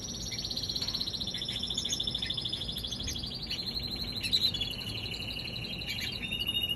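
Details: Young canary delivering a long fast trill that slides gradually downward in pitch, followed by quieter repeated tweets and another rapid trill toward the end.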